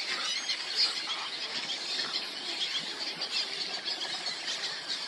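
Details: Fledged juvenile Roseate Spoonbills chasing their parents to be fed at a Texas nesting colony on a late June morning; a steady, shrill, high squealing chorus runs without pause over the dense din of many nesting birds.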